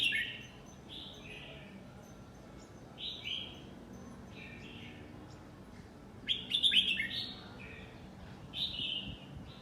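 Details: Red-whiskered bulbul, nine months old, delivering 'lak wai' style song: clear, warbled whistled phrases in short bursts, some falling in pitch, repeated every second or two, with a louder jumbled flourish midway, low hum underneath.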